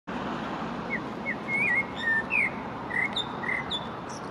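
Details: Common blackbird singing in spring beside the Long Water: short fluty whistled notes, some sliding up or down, with a few thin high twitters, over a steady roar of distant traffic.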